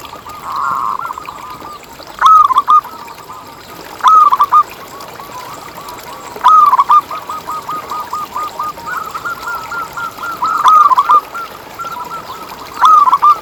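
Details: Zebra doves of a local type, singing steadily, as a lure to prompt other doves to sing. Brief loud phrases of quick stuttering coos return every two seconds or so, with a low rolling chorus of more doves in between.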